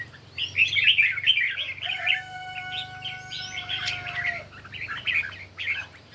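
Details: Red-whiskered bulbul in morning competition song, rapid chattering warbles in dense bursts, while a steady tonal whistle-like drone sounds for about two seconds mid-way, low hum underneath.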